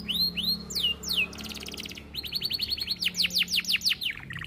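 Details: Canary (kenari) in a long 'cengkok mewah' training song: looping whistled arcs, a dry rattling trill, then rows of rapid high chirps and falling sweeps, with a faint low hum underneath.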